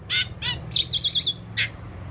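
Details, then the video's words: Asian pied starling giving harsh squawky bursts around a quavering, wavering whistled note, over a low background hum. "Asian Pied Starling Bird Singing and Chirping"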